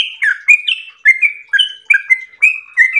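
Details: Yellow-vented bulbul singing in ropel style: clear whistled notes, with some dropping in pitch and others held level, spaced about half a second apart in a slower, deliberate sequence.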